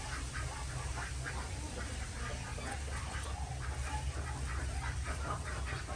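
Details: Desi ducks on an Andhra Pradesh village farm in India, heard while their eggs are collected in the morning; busy overlapping nasal quacks in a steady clamor over a loud low hum.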